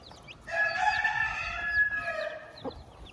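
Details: Chicken crowing on a farm with a hen and chicks, a loud harmonic crow of about one and a half seconds with a wavering ending, faint chick peeps at the start and close.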